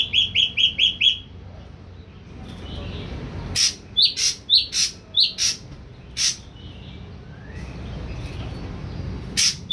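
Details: Young captive ashy drongo, a three-week-old wild-caught bird kept on pellet feed, starting to sing: a quick run of five bright chirps, then harsh broadband bursts and sharp rising notes over a low background hum.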